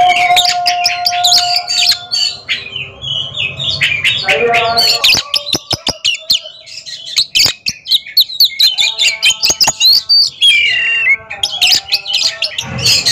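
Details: Two caged Oriental magpie-robins in a song duel competition: dense, varied whistled and chattering phrases mostly high-pitched, broken by sharp clicks and brief gaps, over a steady low hum.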